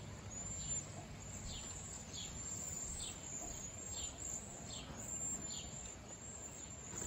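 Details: Flock of wild cedar waxwings, chirping and whistling: a continuous band of high, thin whistles with a series of soft downward chirps roughly every half second, over broad low background hiss.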